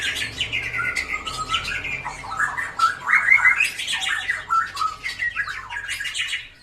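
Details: White-rumped shama with a drooping tail, in lively song used to coax rarely singing birds into song; flowing whistled phrases mixed with rough, scratchy chatter, sliding up and down over a faint background hum.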